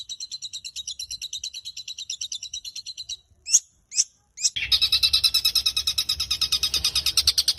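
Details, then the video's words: Caged long-tailed shrike singing as a training model; a soft fast chatter, two sharp isolated whistled notes, then a louder, dense, buzzy rattling run of rapid repeated notes. "Burung cendet gacor full isian cocok untuk masteran"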